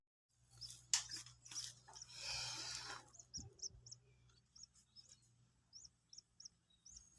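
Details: Loud handling and rustling for three seconds, then a two-day-old Common Moorhen chick being taught to eat feed utters spaced high peeps, several in a row.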